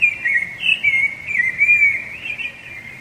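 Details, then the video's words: Rufous-bellied thrush delivering its strong territorial song that also draws females, a near-continuous flowing warble of clear whistled notes wavering up and down without breaks, over a calm background. "Canto de Sabiá Laranjeira"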